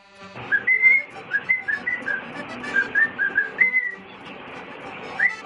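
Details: Five-year-old male cockatiel whistles a rambling series of clear, bright notes, some rising and some falling, singing for his owner.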